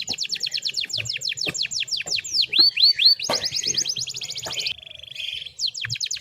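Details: Canary song of quick descending notes, a few rising hooked whistles, a fast, dense trill, and a steady buzzy roll before another descending note, with faint low background sound.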